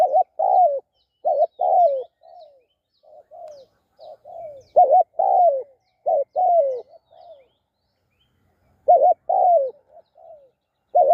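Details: Repeated cooing of a spotted dove associated with decoy trapping. Phrases of mellow low notes recur every few seconds: a wavering paired note, a longer down-slurred coo, then softer trailing notes, with quiet gaps between.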